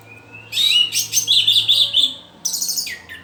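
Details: Young orange-headed thrush practising its song: a thin lead-in note, then a dense run of high twittering notes lasting about one and a half seconds, a short gap, and another chattering burst.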